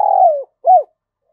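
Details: Spotted dove kept as a decoy bird to lure wild doves, cooing: a long, low, smooth note falling slightly, then a short arched coo after a brief gap.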